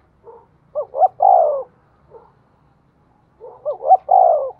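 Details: Decoy spotted dove calling so that other doves begin cooing: two full phrases of quiet lead-in notes, two rising hoots and a long falling coo, plus a soft single note between them.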